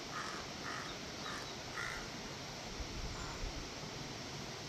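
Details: Four raspy crow caws in quick succession, the last slightly higher, followed by a fainter fifth, against a continuous hissing outdoor background.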